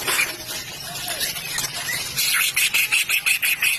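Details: White-rumped shama, a fighting bird in full song: a few curved whistles, then quick rhythmic high chattering notes repeated about three per second, with faint background hum.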